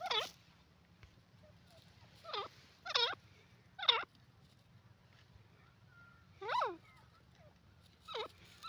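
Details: Teetar, the francolin, gives short loud notes that drop in pitch, spaced irregularly across several seconds over a low steady background hum.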